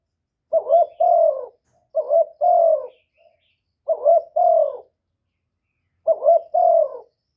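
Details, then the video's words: Caged decoy spotted dove calling to excite wild doves, recorded cleanly: four evenly spaced phrases, each a short, bubbling coo that runs into a fuller, sustained low coo. "Cu gáy mồi hạp bổi nghe là gáy, chim cu đất, cu gáy mồi cây, tiếng chim cu gáy gọi"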